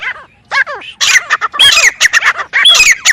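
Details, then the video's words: Grey francolin calling: harsh, loud notes with downward-bending tones, delivered in a rapid, uneven string of bursts after a brief opening phrase and short pause. "teetar sound"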